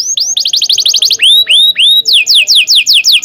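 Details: Long canary tutor song for training young canaries: rapid rising chips, a few loud falling swoops, then a run of quick downslurred whistles, all high and clear with no other sounds.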